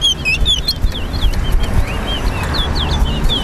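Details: Lesser seed finch (towa towa) singing in a bird race competition at Lusignan bird ground, Guyana, two birds matched. Steady run of sweet whistled slurred notes, rising and falling, over low background rumble; numbers counted aloud.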